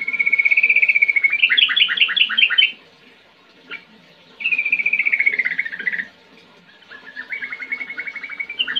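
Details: Sooty-headed bulbul giving its ngetir ngerol song: long rolling trills, the first sliding into a fast burst of sharp repeated notes, then a pause and another descending trill, ending with a rising rippling phrase.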